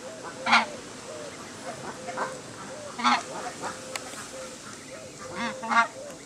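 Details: Emperor geese uttering scattered harsh, grating honks at irregular intervals, some loud, some softer, with a faint wavering whistle running underneath and a brief click.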